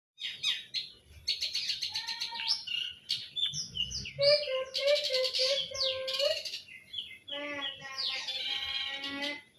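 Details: Long-tailed shrike singing a varied song of harsh chattering bursts, whistled notes and rapid buzzy trills, with low tones near the middle and scratchy high phrases, in a small room.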